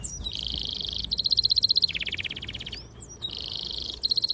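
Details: Canary singing long, clear, sharp song meant to stimulate young canaries to learn; blocks of rapid trills near a high pitch alternate with a lower, buzzy rolling trill, each phrase about a second long.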